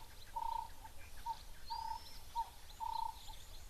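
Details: Burchell's starling calling at a Zimbabwe waterhole on 4 April 2025, then landing in a tree just overhead, possibly still breeding: a run of about five short, even, mid-pitched whistled notes in under four seconds, with a faint high rising whistle and low rumble.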